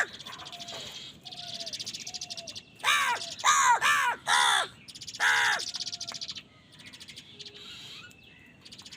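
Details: Crows fighting for food: a burst of loud, harsh, hoarse caws in a rapid series of four or five notes mid-clip. Fainter calls and chatter from other birds come before and after.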